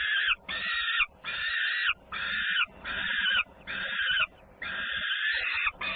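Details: At Włocławek, Poland, on 3 June 2010, a peregrine falcon sibling comes home clamorously while feeding goes on; rough, wailing screams roughly every three-quarters of a second, seven in six seconds.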